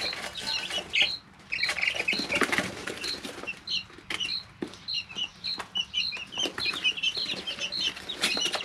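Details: Brooder full of three-week-old chicks: scattered high peeps and chirps, with sharp clicks and bursts of fluttering or flapping between calls and a brief quieter gap early on.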